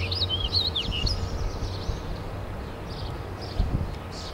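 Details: A warbling vireo at the St-Charles river on 8 June 2010 sings one fast, rambling, up-and-down warble lasting about a second, then fainter notes, over a steady low rumble of background noise.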